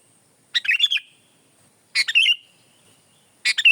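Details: Sooty-headed bulbul (kutilang) singing three bright, bubbly phrases about a second and a half apart, each a burst of chattering notes trailing into a short whistled tail, in near silence.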